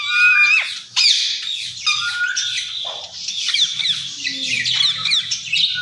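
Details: Ringneck parakeet known for talking, uttering a flat whistle, then loud, continuous shrill squawking and scratchy chatter with short breaks, over a quiet low hum.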